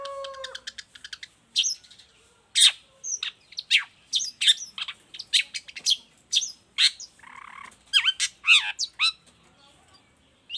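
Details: Long-tailed shrike in full, varied song, meant as a model and stimulus for other shrikes. A low whistled note opens into rapid clicks, then a long, busy series of harsh chips, rasps and up-and-down slurred notes.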